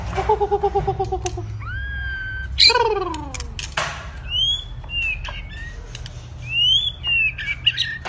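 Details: White-rumped shama in practice, a two-season wild-caught bird: a low pulsed rattle, rising and falling slurred whistles, a harsh downward sweep, then scattered clear whistled notes over a low hum.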